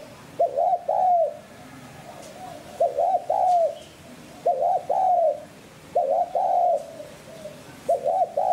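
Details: Spotted dove coo used to draw wild doves to a decoy. Low, throaty phrases with two quick clipped notes, then a sustained falling coo, given roughly every one and a half seconds over a quiet background.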